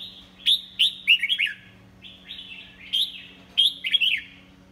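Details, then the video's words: Red-whiskered bulbul, 'pháo cối' singer, delivering two matching loud phrases of sharp, bright whistled notes that dip and rise, each about a second long and spaced roughly two seconds apart, over a faint hum. "Chào mào pháo cối"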